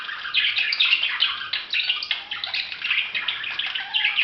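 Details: Steady budgerigar warbling: rapid overlapping chirps, squeaks and buzzy notes running without a break, a few lower whistled tones mixed in.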